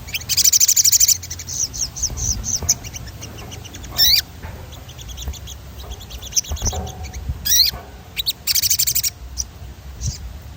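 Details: Rolling song of a sogon, played to stimulate other birds to sing: bursts of fast, high trilled notes alternate with short whistled chirps and brief pauses, with a low background hum.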